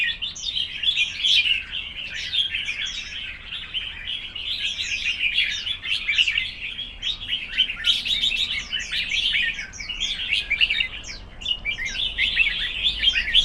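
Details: Red-whiskered bulbuls in a singing contest: dense, overlapping bright whistled and chirping phrases with quick up-and-down sweeps, running almost without pause for the whole stretch.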